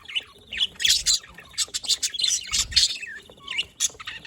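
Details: Budgerigar chatter: loud bursts of harsh squawks and quick chirps, then a short clear rising whistle near the end, several birds together.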